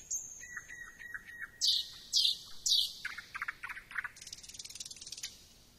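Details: Thrush nightingale song with three loud, emphatic high notes after a soft start, then a fast stuttering series of lower chops and a dense high buzzing trill to close.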